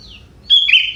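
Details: A young wild-caught sooty-headed bulbul with prinia-type filling in its song. A faint falling note comes first, then a sudden bright, level whistle that dips into a short fluttering slur.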